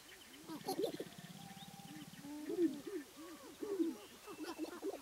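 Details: Spring lek of Sharp-tailed grouse in Wisconsin's Namekagon Barrens, males dancing and displaying for hens. Several overlapping low arched coos and hoots, a fast rattling drum-like stutter early on, and scattered clucks fill the chorus.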